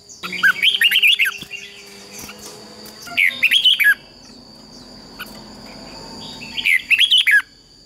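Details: Red-whiskered bulbul in fighting-style song for voice training: three rich, rolling phrases of linked whistled notes, each lasting about a second, separated by pauses, over a faint low hum and a steady high whine.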